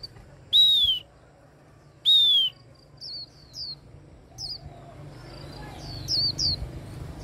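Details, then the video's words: Hand-held Japanese white-eye prompted to sing; two loud, long descending whistled slurs open, followed by shorter high twittering flourishes, over low background rumble. "Khuyên líu cầm tay. Kích him khuyên líu"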